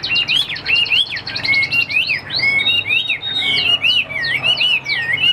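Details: Chinese hwamei singing a fast, loud run of clear whistled phrases, with bright slurred notes that rise and fall without a break.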